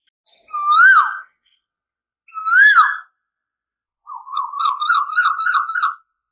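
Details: Asian koel (Eudynamys scolopaceus) song: two loud, rising whistled 'ko-el' notes about two seconds apart, then a rapid bubbling run of repeated notes.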